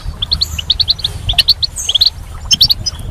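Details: Goldfinch in spring calling in quick runs of bright, rising chirps, several per second, with brief pauses between groups and a faint low hum.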